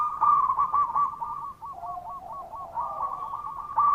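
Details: Zebra dove of local stock giving a lure call to stir quiet doves into calling: continuous rapid coos, two voices overlapping with one slightly lower, no pause throughout.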